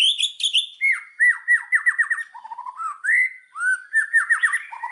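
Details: Indonesian murai batu, the white-rumped shama, singing a lure song: loud, clear whistled phrases, repeated downslurred notes in quick series, some lower fluty notes, continuous and varied throughout.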